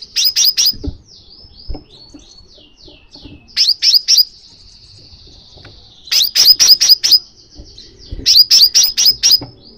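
Crimson sunbird giving rapid bursts of sharp, high tsip notes, four or five at a time roughly every two seconds, between thin high twittering.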